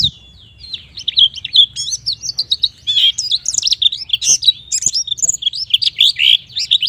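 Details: Vigorous 'gacor nembak' song of a white-eye, played to get young untrained white-eyes singing: nearly seven seconds of unbroken high, rapid twittering warble made of varied quick chirps and slurred sweeps.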